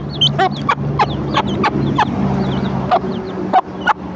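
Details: Breakfast call of a mother hen to her chicks: a series of dull, clipped clucks, with occasional faint high chick peeps and a low background hum.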